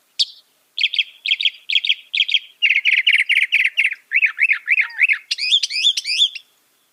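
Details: Mimicking northern mockingbird, said to reproduce 200 sounds, runs through phrase after phrase: repeated high chirps, a rapid buzzy stutter, looping slurred notes, then wavering whistles, each type repeated several times before switching.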